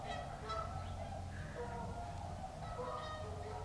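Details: Tundra swans swimming on a pond beside a viewing stand at Aylmer Wildlife Management Area; several soft, hooting honks at scattered intervals, some overlapping, over a steady low rumble of background noise.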